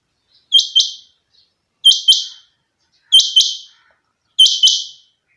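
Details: Rain quail, known locally as chinga batair, kept by its owner: sharp, high double notes, each pair a quick clipped 'whit-whit', repeated about every 1.3 seconds in a quiet setting.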